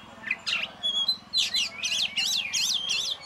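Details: Caged champion oriental magpie-robin singing alone: a couple of sharp scratchy notes, then a quick run of bright rising-and-falling whistled loops repeated about five times, with a faint low hum behind.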